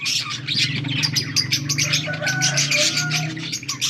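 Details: Dense budgerigar chatter of quick chirps and buzzy warbles, with a few clear whistled tones and a steady low hum beneath.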